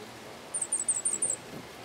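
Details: Cuban grassquit singing the hammer and bell song type: a short run of five very high, thin, clipped notes spaced evenly over about a second, over a quiet background.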